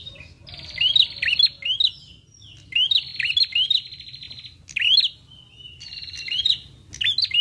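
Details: A prinia lure call that prinias respond to. Rapid buzzy trills alternate with sharp upward-sweeping chirps and dry clicking ticks, in bursts about every two seconds with brief quiet gaps between.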